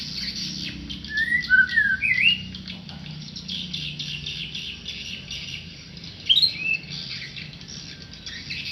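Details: A tame white-rumped shama (murai) singing: a brief run of clear, slurred whistles rising and dipping early on, then a sharper, higher whistled phrase near the end, all over a steady insect-like hiss and low rumble.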